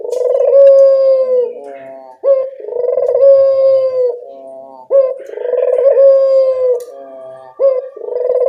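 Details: Repeated coos of a local Barbary dove used to lure birds into calling back: steady drawn-out tones opened by brief rising notes, phrases recurring roughly every two and a half seconds.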